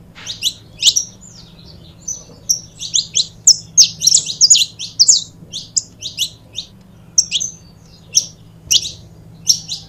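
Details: Saffron finches, a pair, singing to fire up other birds: high chirps starting sparse, building to a dense run of rapid notes, then easing into spaced pairs of chirps and thin whistles, with a low background hum.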